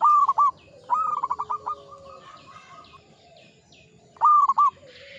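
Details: Local zebra dove in full song, ngepat Mataram rhythm: a quick opening note pair, a rolling run of stuttered coos that ends in a drawn-out tone, and a fresh phrase starting near the end; faint high chirps in the background.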